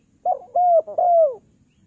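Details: Calling spotted dove used as a lure: a short stuttered note, a steady coo, then a longer descending coo, mellow and clear over a faint low hum.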